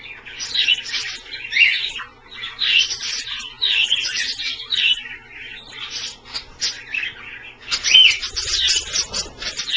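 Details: Pet Australian parrots bathing in a shallow pie dish of water kept a little below lukewarm; a busy run of high, scratchy chirps and warbling chatter, in close bursts throughout, with a louder cluster near the end.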